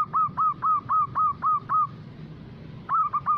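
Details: Local zebra dove with a loud voice, played as a lure to draw other zebra doves into calling: a quick run of seven short, clipped mid-pitched notes about four per second, a pause, then three more, over a low rumbling background.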